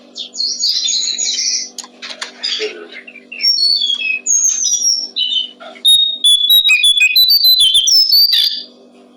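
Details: Brown-streaked flycatcher tutoring song for songbirds: busy high twitters and slurred whistles, growing into a rapid string of thin, evenly paced pure notes near the end, with low background hum throughout.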